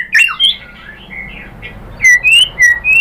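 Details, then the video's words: White-rumped shama song from a recording meant to draw out a reply: a tangle of quick slurred whistles, softer warbling, then four loud, clear, level whistles in steady succession. "PANCINGAN AMPUH ‼️ MURAI BATU JADI NYAUT GACOR BONGKAR MATERI ISIAN ¦ PANCINGAN MURAI"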